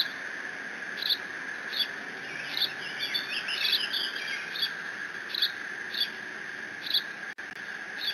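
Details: Decorah bald eagle chick, nest cam, 30 June 2017, mantling a delivered fish in case siblings return; evenly spaced high squeaks about every 0.7 seconds, with a brief warbling chattering burst midway, over a constant high hum.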